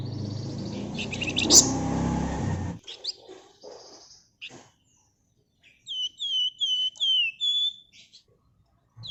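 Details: Flamboyan bird singing energetically in a dense rapid style, used as a lure to prompt other birds; a broadband rush of noise opens, then clear whistled notes sliding downward, repeated in a quick series near the end.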